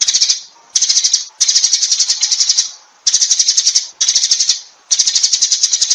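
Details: Sparrows calling the flock: dense, rapid high chirping chatter in bursts of roughly half a second to a second and a half, separated by brief silent gaps.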